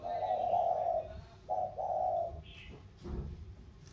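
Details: Spotted doves in Vietnam cooing in the 'thổ' style, a lowland bird from the Sóc Trăng river delta matched against a mountain bird from Cam Ranh: one long low coo, then two shorter coos, with a faint higher chirp after.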